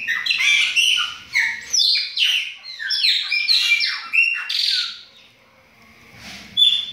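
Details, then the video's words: Captive chopi blackbirds in a group, kept for breeding, singing loud clear whistles: rapid rising and falling notes, some sharply slurred downward, tumbling over one another, with a short pause before a final whistle. "O BARULHO DOS PÁSSARO PRETOS"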